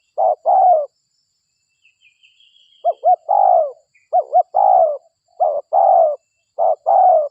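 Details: Spotted dove of a local strain, played as a lure to draw others in; steady series of five coo phrases, paired short hooked notes leading into a drawn-out falling coo, with a faint thin whistle early on.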